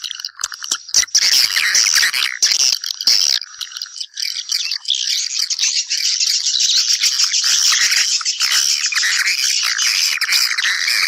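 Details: Swiftlets calling companions back to nest, a continuous dry rattling chatter of rapid high twitters, roughly two bursts a second, that swells and stays steady throughout.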